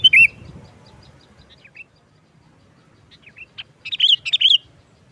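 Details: Sooty-headed bulbul song in the 'nggaruda tajam' style, used as a lure for trapping bulbuls: one sharp slurred note, long near-silence with scattered faint chirps, then a quick burst of bright, warbled notes.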